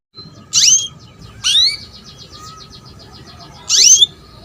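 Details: Female canary calling to lure a male into singing: three loud, sharp upswept chirps about a second and a half apart, each rising steeply, over a faint steady trill and low background hum.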